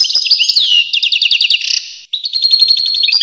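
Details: European goldfinch song with a sliding whistle, a series of quick evenly spaced chirps, a short buzzy burst, a brief silence, then renewed tinkling twitter.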